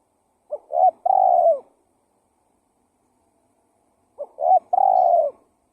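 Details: Two spotted dove lure phrases about four seconds apart. Each has a couple of quick low notes leading into a long, steady, rolling coo. Deep, soft and hollow, against silence.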